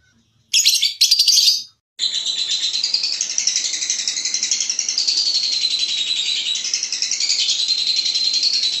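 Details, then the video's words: Lovebird ngekek for contest training: a couple of shrill harsh bursts, then a long continuous rapid trill of high buzzy notes, slightly wavering in pitch, over soft background noise. "Masteran loveBird Juara Full 4 Jam"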